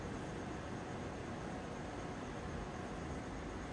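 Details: Steady, loud broadband rushing noise throughout, like wind or engine roar, with no animal call.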